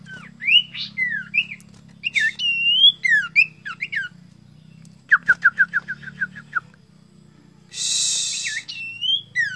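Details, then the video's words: Sirtu bird calling out for a rival in a full, clear voice: varied whistled slurs rising and falling, then a rapid run of about nine short repeated notes, a harsh noisy burst, and steady low hum beneath. "burung sirtu cari lawan suara tebal jernih"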